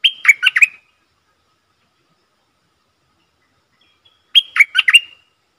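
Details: Streak-eared bulbul working as a decoy for luring wild birds and tutoring young or silent birds delivers two short, lively phrases of five chattering notes about four seconds apart, with no other sounds.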